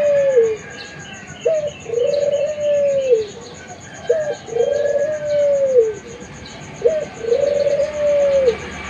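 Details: Young Barbary dove singing actively: three phrases, each a short rising note followed by a long, smooth, low coo that swells and then drops. The phrases come about every two and a half seconds over a faint steady hiss.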